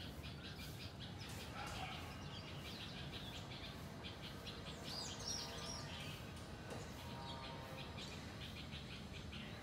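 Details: House sparrows, a flock in a garden, chirp busily and without pause, many quick overlapping tweets forming a continuous chatter over low background noise.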